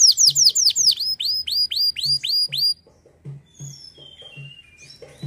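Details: Canary song: a quick series of sharp down-slurred whistles, then a slower set of hooked notes, followed by sparse thin whistles over soft low knocking sounds.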